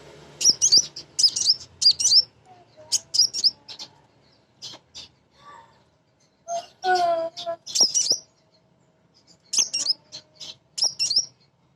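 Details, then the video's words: Female crimson sunbird calling to males, a sound used to get other birds singing: clusters of piercing high chip notes and quick twitters, repeated in bursts, with a brief lower, harmonic note partway through. "Konin Betina Gacor‼️ Nyrecet Nembak Cocok Untuk Pancingan Burung Bahan"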